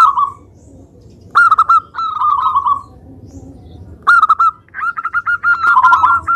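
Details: Indonesian local zebra dove in lively song meant to lure other doves into singing: drawn-out rolling coos, then a rapid series of short, clipped coo notes closing the phrase.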